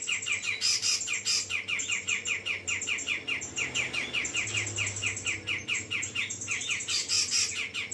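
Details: Grey-cheeked bulbul (cucak jenggot) singing: fast runs of short chirpy notes, roughly two per second, with higher scratchy phrases layered above and a faint steady hum beneath.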